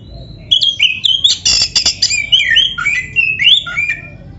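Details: Caged black-breasted oriental magpie-robin (kacer dada hitam) singing, played to stimulate other birds: a thin whistled opening, then harsh scratchy bursts and a string of sweet rising and falling whistles, slightly buzzy in places.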